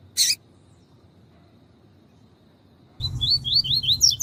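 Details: Double-collared seedeater in tui tui song style, a recording used for training males: a short harsh burst, a long pause, then a quick series of slurred whistled notes over a low background rumble.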